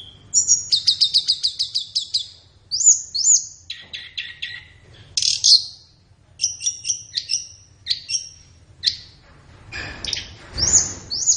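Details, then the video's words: Flowerpecker song used as a tutor recording for training caged songbirds, best played in the morning or afternoon: rapid bursts of very high, thin chips and short buzzy notes, a quick series of repeated ticks opening the phrase. "SUARA BURUNG - Masteran Terbaik Tledekan"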